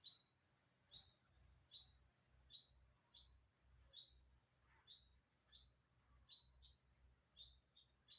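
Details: Recorded September 27, 2022, an unknown bird calls steadily with sharp, high upslurred chirps, about eleven in eight seconds, one pair doubled closely near the end, over faint low rumble.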